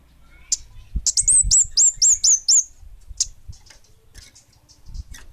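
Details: Orange-headed thrush of the bunga api type in full voice: one sharp chip, then a quick series of seven bright, high, falling whistled notes about four per second, ending with faint scattered chips and low background thumps.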